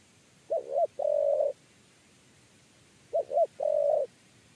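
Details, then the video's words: Tekukur, or spotted dove, during a trapping session, cooing in the 'kuk 3' pattern. Twice it gives a pair of short hooting notes, then one longer even coo, with quiet pauses between phrases. "TEKUKUR KUK 3"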